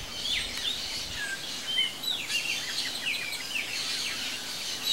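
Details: Chopi Blackbirds at a feeder fill the air with a busy, overlapping stream of clear whistles, quick chirps and sliding notes, several birds calling at once over a faint hiss.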